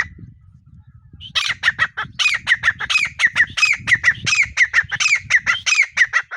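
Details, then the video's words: Desi teetar partridge repeating loud, harsh, ringing squawks at a steady, rapid pace for about five seconds over a constant low rumble of background noise. "Teetar ki voice | desi teetar sound| Partridge sound"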